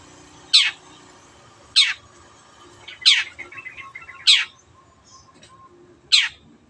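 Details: Caged Long-tailed shrike gives loud harsh downward-sweeping notes about a second apart, five in all, with soft twittering phrases slipped between some of them.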